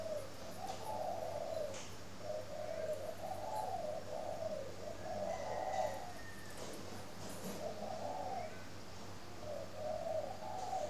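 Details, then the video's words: Morning cooing of a captive spotted dove kept at a Ba Vì bird farm near Hanoi, Vietnam: a regular series of mellow, hollow two-part coo phrases about two seconds apart, with faint clicks and a constant low hum. "CHIM CU GAY HAY mỗi buổi Sáng"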